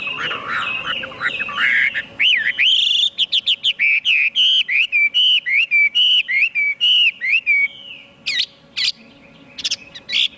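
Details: Chinese hwamei in sustained song: a jumbled warbling start, then a long train of quick, evenly spaced whistled notes that rise and fall, ending with a few sharp, separate upward whistles.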